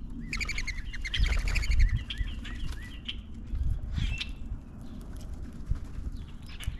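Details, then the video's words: Common grackles in numbers at a backyard feeder near the end of spring, flocking and dominating the feeder. A burst of harsh, buzzy notes with many overtones comes early, then thin scattered chirps, over steady low rumbling and feeder clatter. "Common Grackles come in numbers to the backyard feeder."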